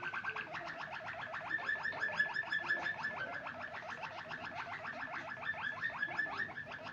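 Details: A white Waterslager canary sings a fast, unbroken rolling trill of bright, bubbling notes that carries on at an even pace for the whole stretch.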